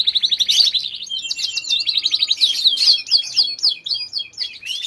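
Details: Canary in full song: fast rolling trills and rapid repeated high notes, shifting between buzzy runs and bright whistled phrases, about four notes a second, with faint low background rumble.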